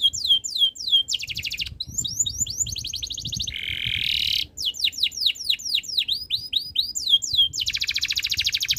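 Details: Singing canary delivering falling whistled sweeps, a harsh buzzy rasp, and bright sweeping phrases that close in a dense, rapid trill.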